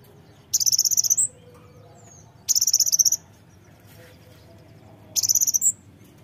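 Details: Brown-throated sunbird song used to provoke other birds into singing: three rapid, very high trills of about a dozen buzzy notes each, every two seconds or so, each ending in a short upslurred note, over quiet low background hum.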